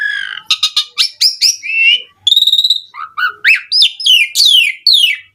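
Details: Singing Javan pied starling used as a lure for other starlings: rapid clipped chirps, a short trilled burst, then varied falling and rising whistles.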